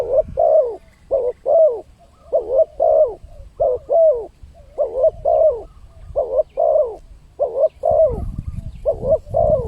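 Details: Spotted dove cooing as a lure to draw in wild birds: paired soft coos, a short note then a longer downslurred one, repeated steadily, with a low rumble near the end.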